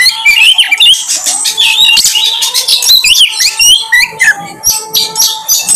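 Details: Oriental magpie-robin (kacer) song used as a lure to draw out a bird's repertoire: loud, dense run of varied whistles, sweeping slurs and quick chattering notes with brief gaps, over a faint steady tone.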